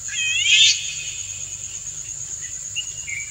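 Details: Male Indian golden oriole courtship song aimed at a dancing female: one bright, dense burst of stacked curving notes at the start, fading to faint short whistles, with a persistent high insect drone.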